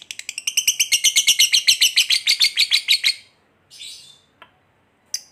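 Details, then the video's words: Lovebird fighter in ngekek panjang, a long trill meant to rouse another lovebird to fight: about three seconds of quick, piercing, rattling notes, followed by a short squeaky chirp and a couple of clicks. "SUARA BURUNG LOVEBIRD NGETIK NGEKEK PANJANG"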